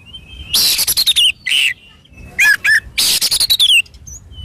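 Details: Oriental magpie-robin singing vigorously, played to encourage caged birds: grating buzzy bursts mixed with clear falling whistles in three loud clusters, then brief silence and a faint high note.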